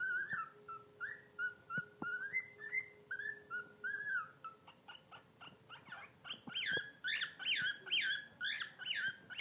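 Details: Rescued pet bird whose song seems to copy guinea pigs: repeated short whistled squeaks, rising and falling, then a faster jumble of higher chirping notes and clicks toward the end, over a low steady hum.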